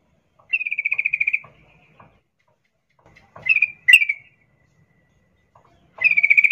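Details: Sooty-headed bulbul, female in breeding condition calling a male; a rattling run of quick notes, two sharp chirps a couple of seconds later, then another rattle starting near the end, with faint clicks.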